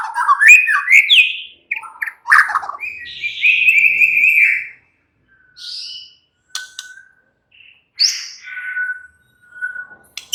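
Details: White-rumped shama relaxed song used to prompt other shamas to chatter: quick warbled whistles, then a long level whistle, followed by sparse soft notes and brief high phrases.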